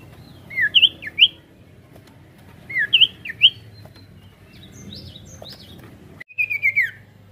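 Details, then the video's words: A sirtu sings as a lure for other birds, with rolling variations: two matching phrases of three to four quick looping whistles, a quieter scattered passage, then a short rapid trill near the end. "Pancingan Sirtu Gacor Variasi Ngeroll Mantul"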